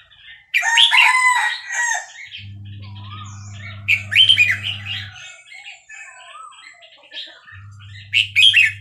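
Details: Red-whiskered bulbul of the Burmese type at Dan Singkhon singing loud, bubbly, slurred phrases of rich chortling notes, with softer rising whistles between them and a steady low electrical hum in two stretches.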